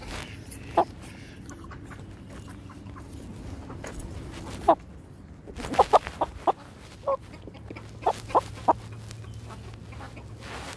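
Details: Brahma rooster during an attack: short sharp clucks, one near the start, then a loose run of clipped, scattered notes through the second half, with a low steady hum beneath.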